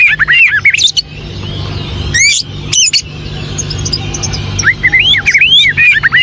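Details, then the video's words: White-rumped shama singing short, sweet whistled phrases that rise and fall, broken by brief pauses, with a few sharp high notes mixed in and a steady low hum underneath. "SUARA BURUNG KUCICA HUTAN"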